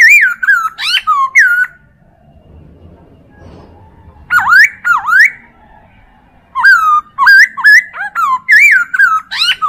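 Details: Recording of a Chinese hwamei used as a tutor for other birds: loud fluty whistles in quick succession, some sharply rising, broken by quiet pauses between three energetic bursts.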